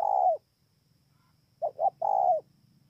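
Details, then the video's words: Spotted dove at Bờ Y, Kon Tum, Vietnam, 28 November 2017. A drawn-out falling coo ends one phrase. After a pause, a fresh phrase of two quick coos and a long, level cooing note follows, with a soft low rumble beneath. "CU GÁY"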